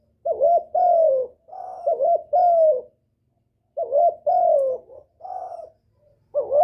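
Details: Cooing of a spotted dove used as a lure to bring in a male. It has runs of short hooked coos and longer mellow falling coos in two bursts separated by a pause, over a quiet background.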